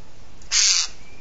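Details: A Eurasian jay at a booted eagle nest in Sierra de Guadarrama National Park, Spain, swoops at the mother eagle, then gives a single harsh, rasping screech of about a third of a second to draw attention; faint background hiss.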